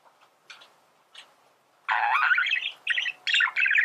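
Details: Male budgerigar singing, a recording used to teach birds to sing: a few faint short chirps, then from about two seconds a loud, fast, scratchy chattering warble with buzzy notes, broken into bursts toward the end.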